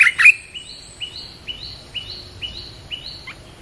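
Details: Red-whiskered bulbul playback for luring wild birds: a quick loud double whistle opens, followed by soft upslurred notes repeated about every half second, ending with a brief downward note.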